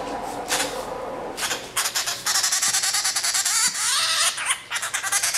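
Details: A hand-reared grey treepie chick, about two months old and found by a roadside, gives rapid, harsh, broadband begging calls in fast irregular bursts while being hand-fed, with faint indoor background sounds.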